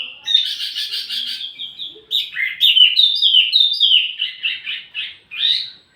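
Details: Wambi mini as training audio for tledekan: a buzzy high trill followed by a lively string of quick, varied, slurred whistles that fall in pitch.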